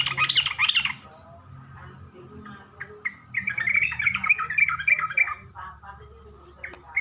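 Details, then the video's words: Sooty-headed bulbul song serving as a lure for answering bulbuls: an opening burst of busy chattering, a quieter stretch, then a long run of fast, warbling, slightly buzzy notes before fading to scattered clicks. "suara Trucukan gacor gaja Pikat ini Rajanya bikin nyaut trucuk"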